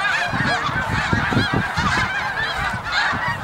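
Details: Snow geese massed during migration at Middle Creek, Pennsylvania, giving a dense, continuous din of overlapping nasal honks and yelps, many birds calling at once with no pauses.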